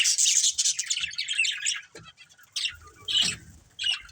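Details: Colourful budgies in a family group chirping: dense, scratchy high chatter that breaks off midway, then short harsh bursts return with a few low thumps and rustles.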